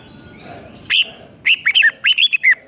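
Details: Red-whiskered bulbul doubled five-syllable song for tutoring young birds: one opening whistle, then two quick clusters of bright, up-and-down whistled notes.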